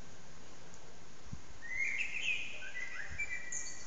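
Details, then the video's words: Common blackbird singing loudly in an echoing backyard, recorded on an old HTC Desire phone: a low fluted warble that breaks into a high, squeaky twitter, with reverberation trailing behind, over a constant loud background hiss and hum. "Amsel heute in besonders laut"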